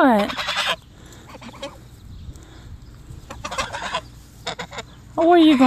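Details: Sebastopol geese, two birds guarding their owner against dogs, open and close with strong nasal honks, with quieter scattered calls between and a woman's voice in the background.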